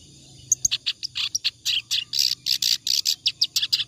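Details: A clamorous reed warbler sings steadily as training material for other birds. After a short quiet start, choppy, rasping notes follow in quick succession, loud and evenly spaced.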